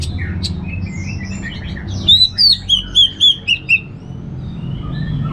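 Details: Orange-headed thrush, kept in northern Bali, giving soft twitters then a run of seven loud whistled notes stepping downward, each short and evenly spaced, over a constant low hum.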